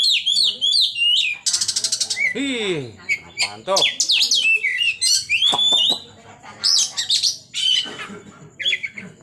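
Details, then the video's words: Oriental magpie-robin performing 'tembakan', the song style said to provoke rival magpie-robins: rich, varied, rapid phrases of high whistles, rattling trills, harsh chatters and swooping notes, with brief pauses between outbursts. "Tembakan bikin Kacer lain Bagong"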